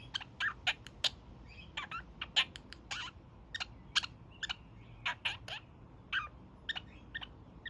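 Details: Young male kakariki, a pet parrot, giving his daily evening honks indoors: short harsh nasal bursts repeated irregularly about twice a second, some with a clear tonal note, over a low background hum.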